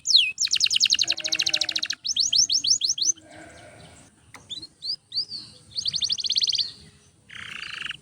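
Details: Canary pouring out its training song, phrases of rapid high trills broken by short pauses, brief upward slurs, and a harsher buzzy note near the end.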